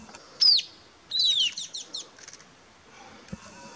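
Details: White-capped tanager (Sericossypha albocristata) giving a loud, shrill, down-slurred note, then a rapid run of four or five sharp descending calls, with faint background chirps.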